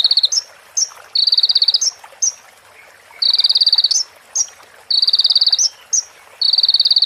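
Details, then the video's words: Crimson sunbird (konin) training song with phrases of female prenjak and ciblek: short sharp notes lead into high, dense buzzing trills of about a second, repeated with brief pauses. "MASTERAN KONIN FULL ISIAN PRENJAK BETINA SAMBUNG CIBLEK BREN JERNIH JEDA ORIGINAL DARI SUARA KONIN !"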